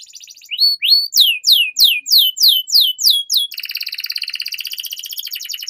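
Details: Canary song used to get young canaries singing, with rising whistled notes leading into a run of loud downslurred chirps, then a long fast buzzy trill.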